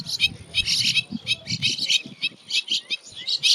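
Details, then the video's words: Bank myna in a residential neighbourhood giving harsh, rapid chirps in bursts about every half second, with high grating notes and a soft low murmur beneath. "Bank Myna Chirping Sound - Bank Myna Calling Sounds"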